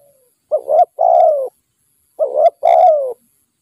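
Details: Spotted dove caught up in trapping with a decoy. It calls twice, each time with a clipped, slightly wavering note leading into a longer mellow coo that slides downward, about two seconds apart.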